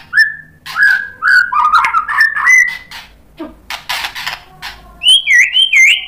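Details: White-rumped shama showing its repertoire while answering a fighter bird: a string of clear slurred whistles, a short burst of harsh notes, then high looping whistles repeated three or four times.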